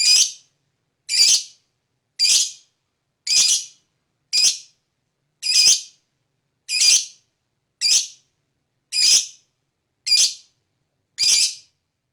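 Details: Lovebird fighter, used as a lure to provoke other lovebirds into ngekek: eleven evenly spaced, harsh, high, grating screeches, about one per second, with silence between them.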